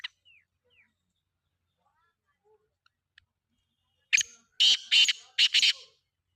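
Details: Black francolin call recorded 17 November 2025: after several seconds of near silence with faint distant chirps, three loud rasping, scratchy bursts arrive in quick succession near the end.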